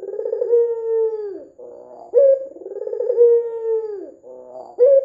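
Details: Red-eyed white ringneck dove, an eager caller, whose recording is used as a lure for other doves. Deep, vibrating coos drawn out and drooping at the end, each followed by a short rattling lead-in to the next.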